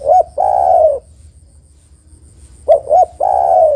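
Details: A female spotted dove calls to attract a male, a lure recording. The end of one long coo, a pause, then two short clipped coos leading into another long, even coo.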